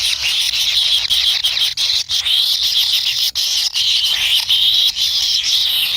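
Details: Kingfisher chicks in the nest, impatiently waiting for food from a parent. A continuous high, hissing, buzzy chorus pulses unevenly, broken by a few brief clicks and dips.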